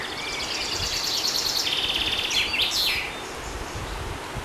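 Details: Common chaffinch singing outdoors: a high, rattling run of quick notes that speeds into a descending flourish, over a steady background of environmental noise.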